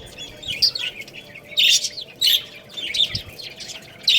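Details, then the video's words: Little chicks playing and eating give high, thin peeping chirps, short falling whistled notes in loose bursts roughly every half second to second, with faint background hum. "Cute Little Chicks Chirping Sounds"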